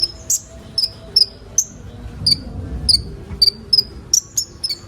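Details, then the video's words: Sunbird, locally called kolibri ninja, used as training material to get young birds singing: sharp, very high chirps and short slurred notes repeated about twice a second, with faint low background hum. "Burung kolibri ninja bahan ombyokan cepat gacor"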